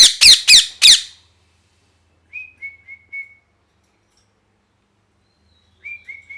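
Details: Molting pet parrot gives four rapid, harsh, grating screeches, followed by a string of quiet, thin whistled chirps, level or slightly falling, in two small bursts separated by silence.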